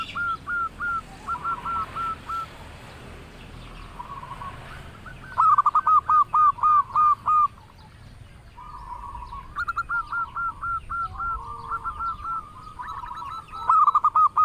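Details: Local zebra dove singing steadily, melodious voice: series of quick hooked cooing notes in rapid bursts, with loud close phrases and softer overlapping answers from other doves further off.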